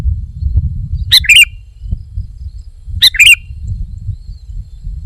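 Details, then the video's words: An energetic sooty-headed bulbul repeats a short, bright, bubbling phrase twice, about two seconds apart, each a sharp note running into a quick liquid warble, with a soft low hum behind. "Kicau Burung Kutilang Gacor"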